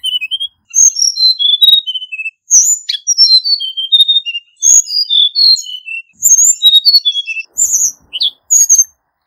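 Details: Lure song of a hill blue flycatcher, sung in a wild-forest style for trapping. Bright whistled phrases fall in pitch, repeated in bursts of one to two seconds with a few sharp upswept notes between them.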